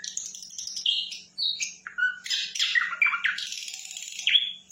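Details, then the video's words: Sikatan londo flycatcher singing with gusto, mixing high thin whistles, short slurred notes and loud harsh buzzy bursts in quick succession, a faint low hum underneath. "Sikatan Londo Gacor"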